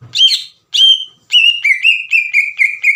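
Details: A vocal green leafbird sings a lure song meant to make untrained birds answer: two drawn-out, slurred whistles, then a quick run of ringing, downward-bent whistled notes about four per second.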